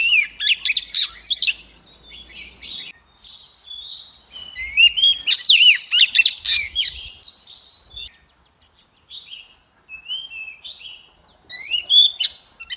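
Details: White-rumped shama pouring out song in bursts: fast sweeping whistles and clipped chirps, pauses of near silence, then softer whistled notes and a final loud flourish.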